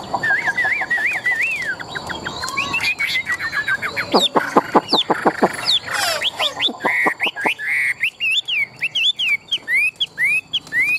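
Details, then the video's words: Caged Chinese hwamei, a tame competition singer, in Vietnam; whistled phrases give way to a rapid series of sharp clicking notes, then resume with fluid looping whistles and quick trills. "Họa mi thuần đét, Bộ to - Đấu hót rất tốt"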